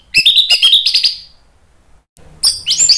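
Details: Orange-headed thrush in full, loud song: quick clusters of high, sweet chirps and trills, a short silence, then a renewed burst of rich, varied high-pitched phrases.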